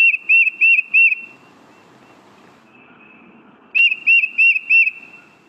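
Tufted Titmouse song: two bursts of four clear, high whistled notes at about three per second, separated by a pause, over a faint background hiss.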